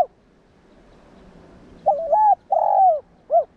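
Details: Spotted dove, a calling bird used to stimulate other doves into cooing; after about two seconds of quiet, one low, hoarse cooing phrase of three parts: two drawn-out coos and a short final note.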